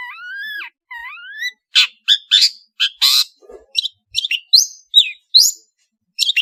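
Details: Long-tailed shrike from Madura in full variation song. It opens with two rising, ringing whistles, then gives a rapid string of harsh scratchy notes and short downslurred chips.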